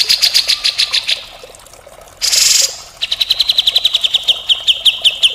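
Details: Grey-cheeked bulbul pouring out continuous harsh mbeset kasar song for bird tutoring: fast rasping high notes, a short loud hissing blast, then a long, steady, quick train of clear chips.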